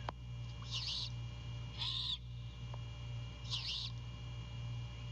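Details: Great horned owl female on a branch near a Savannah nest, 2 April 2022 before dawn, calling for her mate before he delivers prey to her and the owlet; three harsh, hissing screeches spaced about a second apart over steady low hum, from a nest camera.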